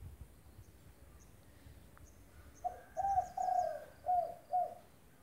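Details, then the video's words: Spotted dove in lively song, kept as a tutor recording to prompt silent doves to call, gives a run of five mellow hollow coos, the middle ones longer, with faint high chirps from other birds behind. "Derkuku gacor buat masteran tekukur macet bunyi lang sung nyaut-lintang katon"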